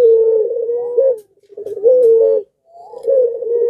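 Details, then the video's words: Barbary dove (puter pelung) singing while in breeding condition, its calls stirring other doves to respond: drawn-out, even, low coos with slight wavering and a brief pause between phrases. "BIRAHInya memuncak Lagi Sampe Gacor Ngundang Puter Disekitaran Ikut Gacor jadi rame"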